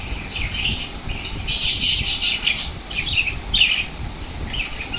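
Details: Excited lovebirds reacting to lovebird sounds with harsh squawks and dense shrill chattering in several bursts, over a low background rumble.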